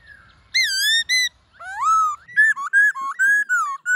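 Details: Forest-voice song of a black-throated laughingthrush, played to call wild birds: rich, ringing whistles that waver and slur up and down in quick succession after a soft opening.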